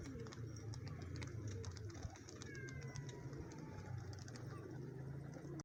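Lotan pigeon giving low, throaty rumbling coos that run steadily throughout, with scattered clicks and a couple of faint, thin higher whistles.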